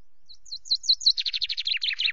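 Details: Common chaffinch singing on a camera perch at Loch Garten on 24 May, around 17:02, between bouts of preening. A few high, clipped opening notes lead into a rapid, slightly descending trill of repeated chirps.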